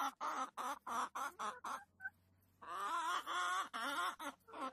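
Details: Chickens in a henhouse give a run of short, harmonic, nasal calls, about seven in two seconds. After a brief pause, longer wavering overlapping squawks follow. A faint low hum sits underneath.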